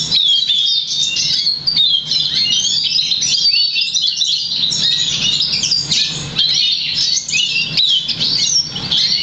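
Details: Caged crested, 50% variegated black siskin × Russian canary hybrid, bred August 2009 and trained to sing European goldfinch notes, delivering a continuous high, rapid twittering song of liquid trills and chirps with a low background hum.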